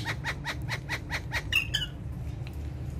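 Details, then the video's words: Pet parrots, described as talking and dancing on a charpai, give a rapid series of about seven short harsh notes in quick rhythm, followed by a brief squawk, over steady low rumbling background noise. "Amazing Talking And Dancing Parrots"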